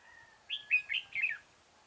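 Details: Red-whiskered bulbul kept as a trapping decoy, 6 October 2018, sings one crisp phrase of four loud, liquid whistled notes in quick succession, rising and dipping, over a quiet background.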